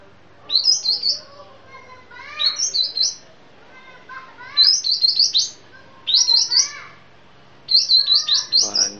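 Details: Sumatran sooty-headed bulbul singing 'piai' style: five short, chattering phrases of quick, high, liquid notes, roughly every one and a half seconds, with softer lower whistles between them.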